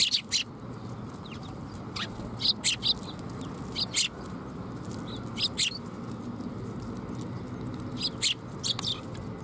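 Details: Sparrows coming to be fed at a Tenmangu shrine on 30 September 2021; short bright chirps in scattered bursts of two or three, over a low rumble of background noise.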